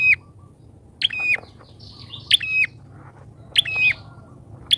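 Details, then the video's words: Bar-winged prinia used as a trapping lure gives loud, abrupt high calls with buzzy tails, about four in five seconds, with quieter chirps and soft background noise between. "PIKAT PRENJAK!!..PRENJAK LIAR KALAH PAMOR DGN PIKATANYA...GACOR"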